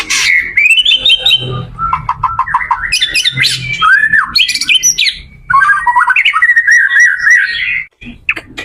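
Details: White-rumped shama singing as a lesson for other shamas: varied whistles, loops and harsh chattering notes in irregular phrases, with a low hum in the background.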